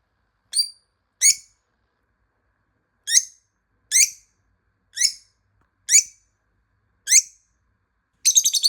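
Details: A hidden lovebird, being located by its calls, gives seven sharp, shrill screeches at uneven intervals of one to two seconds, ending in a rapid chattering burst. No other sounds are heard.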